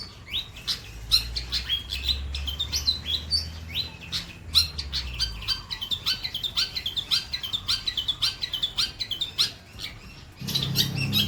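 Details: White-breasted long-tailed shrike delivering a busy, varied song of rapid high chirps and twittering phrases, with a low rumble at the start and a hiss near the end.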